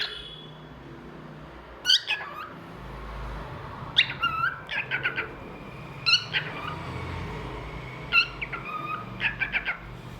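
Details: Pet cockatiel singing indoors: short bursts of chirpy, warbling whistles with quick rising and falling notes, repeated every two seconds or so over a steady low room hum.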